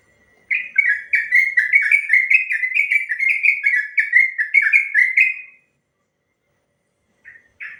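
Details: Sooty-headed bulbul's long rapid song, a master recording meant to make other bulbuls answer: about five seconds of fast rolling, liquid whistled notes, then silence and two short closing notes.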